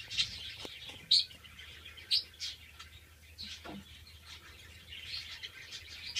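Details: Captive Antillean siskins, breeding pairs including males bred in 2013 and a 2014 male not yet in full colour, give sparse, thin, high chips about once a second, separated by quiet stretches with a faint low hum.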